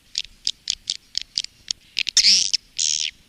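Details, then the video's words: Swiftlet calling and roosting sounds of the kind swiftlet farmers play to attract birds to nest houses: a run of short, sharp clicks about every quarter second, then two longer harsh buzzy chirrs. "SUARA PANGGIL DAN INAP BURUNG WALET"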